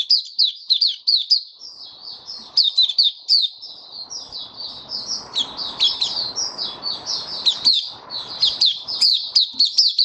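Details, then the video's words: Caged white-eye in full open song, 23 March 2022, warm and humid: a long, fast, high twittering stream of slurred notes with accelerating bursts, over low rustling background noise. "Mata Puteh Kitaro Video 1 buka sing"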